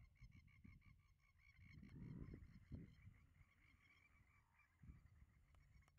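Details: Yapping, honk-like notes of banded stilts, Western Treatment Plant, Wyndham, Victoria, April 2024: a quick series of nasal calls for about two seconds, then scattered notes, with strong wind buffeting throughout.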